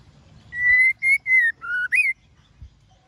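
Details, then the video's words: Female white-rumped shama calling to stir males into song, a short phrase of five pure whistles: a long level note, two shorter ones, a dip to a lower tone, then a brief upward-sweeping finish, with faint low background rumble. "Lửa Mái Hót Kích Trống Cực Nhạy"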